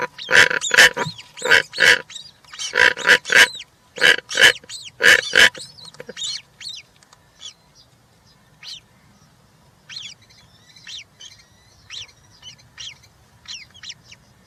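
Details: European rollers at the nest, three chicks, 20 June 2023: a run of loud harsh rasps for six seconds, then quieter, thin high calls spaced out over the rest of the recording.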